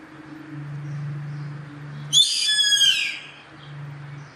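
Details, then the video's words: Yellow-headed caracara in nature: a low steady hum fills the background, then a hoarse, rasping scream of under a second starts abruptly and tails off slightly lower in pitch. "GAVIÃO CARRAPATEIRO CANTO NA NATUREZA"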